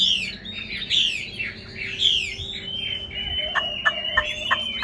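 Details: Chinese hwamei kept in a cage, delivering loud looping whistled phrases that swoop down and up, ending in a string of short clipped repeated notes.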